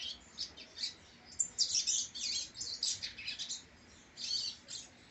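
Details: Caged rusty-collared seedeater (coleiro) in brown plumage, grandson of a noted breeding line, delivers rapid high chirps and sweet warbled phrases grouped in short clusters, with a brief pause before the final burst.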